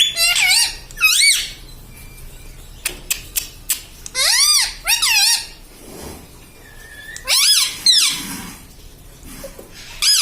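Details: Pet green parrot kept indoors, mimicking words such as papa and mummy: sharp, squeaky, strongly bending whistled syllables in short bursts separated by pauses, with a few clicks between phrases in a small room.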